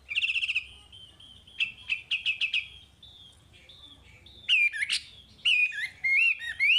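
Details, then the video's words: Chinese hwamei song for training young caged birds: a buzzy trill, a string of short clipped notes, then loud swooping and looping whistles toward the close. "Suara Wambi Gacor Untuk Pancingan Hwamei Bahan"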